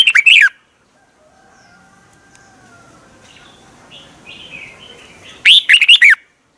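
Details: Red-whiskered bulbul, a cage bird in Thailand, gives two short rollicking song phrases of fast slurred notes, separated by about five seconds of quiet where faint thin whistles sound distantly.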